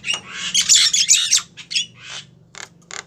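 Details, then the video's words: Javan myna female calling a male, a dense burst of harsh, raspy chattering squawks in the first second and a half, followed by short scratchy notes after a pause, low background hum throughout. "suara burung jalak kebo betina manggil jantan"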